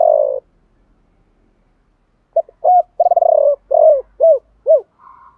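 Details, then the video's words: Spotted dove coo in the 'chiêu ba hậu' style, meant to get other doves singing: one drawn-out low coo, a quiet gap, then a stuttering run ending in three evenly spaced, soft arched coos. "tiếng chim cu gáy chiêu ba hậu, cu gáy"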